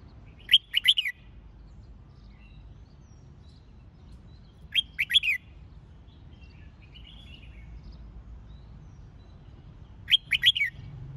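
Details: Red-whiskered bulbul song used to fire up young birds and train bulbuls for singing competitions: three bursts of sharp, quick whistled notes, roughly every five seconds, over a low steady background hum.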